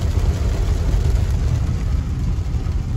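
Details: Steady low engine rumble, like an idling vehicle, fills the recording with no animal sounds.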